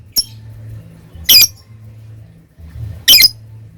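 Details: Lovebird kept as a hobby bird, heard in its ngekek chatter style: two short, harsh, high-pitched squawk bursts about two seconds apart, with a low steady hum underneath.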